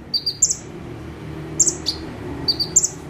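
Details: Bar-winged prinia singing actively while perched in one spot: high, sharp paired chirps followed by buzzy trilled notes, in short bursts roughly every second, over a low steady hum.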